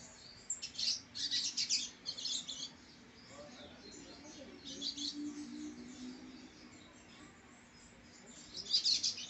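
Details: A captive-bred young brown-plumaged (pardo) male double-collared seedeater sings three bursts of high, fast, buzzy twittering notes, each one to two seconds long with pauses between, over a faint low hum.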